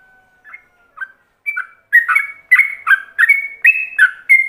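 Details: Yellow-vented bulbul in ropelan-style song, a master lure for other bulbuls to copy. Two soft opening notes, then fast slurred whistles that jump between high and lower pitch, about three per second, with no other sounds.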